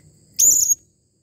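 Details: Serindit calling, a single very high, shrill, slightly buzzy note lasting about a third of a second, over faint low background noise.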